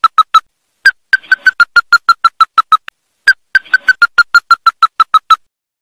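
Ruddy-breasted crake giving hard, clipped mid-pitched notes in quick runs of about fifteen, each run repeating after a brief pause; faint hiss behind.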